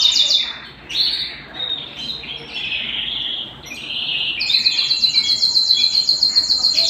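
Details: Canary singing at home: varied warbles and chirped notes, then a long, very fast repeated high trill that carries on to the end.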